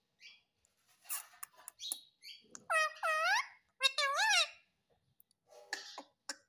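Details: Talking ringneck parrot mimicking "mummy papa", with scattered soft clicks and chirps, then two clear wavering, rising-falling spoken-like phrases, followed by fainter chatter.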